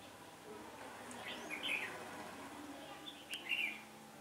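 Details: Red-whiskered bulbul at a trapping site on a windy day, 15 October 2017: two brief, lilting warbled phrases about two seconds apart, each a quick cluster of chirpy notes, with a soft click between and quiet hiss behind.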